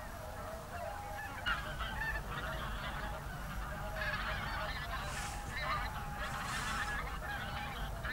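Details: Whooper swans gathered with geese at an evening roost in a national park in February, late afternoon into early evening; a dense chorus of honking, bugling calls overlaps continuously, with louder bursts near the end.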